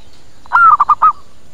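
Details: Zebra dove lure call meant to bring other birds in to answer: a single cooing phrase with a drawn-out opening note and three quick, short following notes.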